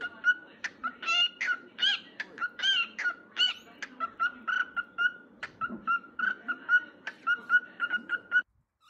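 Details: Pet cockatiels singing: a steady run of short whistled notes with harmonics, mostly on one mid pitch and broken by brief rising and falling phrases. The notes repeat roughly once per second and continue without pause until a sudden stop near the end.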